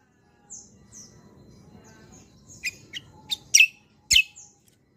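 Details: Kecial kombo, or cucak kombo, in a 'roll tembak' lure recording: faint high whistled slurs, then a scattered series of sharp, loud chip notes at irregular intervals over a soft background hum.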